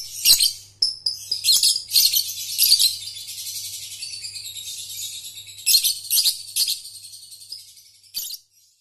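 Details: Long rolling ngekek trill from a lovebird, played to teach young birds: near-continuous harsh, high chatter for about five seconds, then a second burst and a final squeak. A low hum runs beneath.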